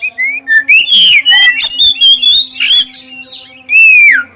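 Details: Clear song of an oriental magpie-robin with a black breast, used to coax other magpie-robins into singing: short whistled notes building into a fast, varied phrase, ending after a pause with one long, loud whistle sliding downward.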